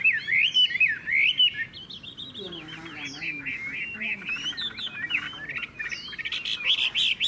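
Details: Caged Chinese hwamei, a bird praised for loud, strong singing and a fine voice, delivering rich whistled phrases that swoop up and down with rapid twisting notes, then lower warbling passages and a bright closing run.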